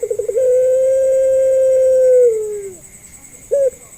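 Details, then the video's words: Barbary dove of the pelung style, recorded as a lure for doves learning to call: the tail of a rolling trill merges into one long, smooth, level note lasting about two seconds that sags downward, then a brief yelp. "PANCINGAN MASTERAN BURUNG PUTER"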